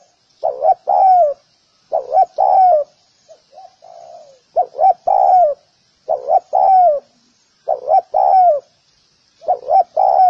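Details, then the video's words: Spotted dove, recorded as a clear sound for training doves, giving repeated three-part coos: two quick low hoots and then a longer, slurred note that falls away. Phrases come roughly every one and a half seconds with a few softer notes between. "សម្លេងសម្រាប់បង្ហាត់លលកច្បាស់ល្អ / Sound of Spotted dove"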